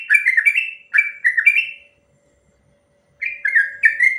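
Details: Sooty-headed bulbul singing a long rolling song meant for tutoring other birds: short chains of liquid, down-slurred whistled notes, a pause of over a second, then another chattering whistled run.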